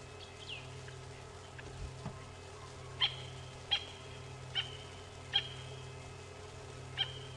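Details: Francolin calling on a peaceful sunset safari drive on 1 June, with a slight nip in the air and others calling nearby: sharp, high, grating notes about one per second, speeding slightly, over a steady engine hum and faint birds.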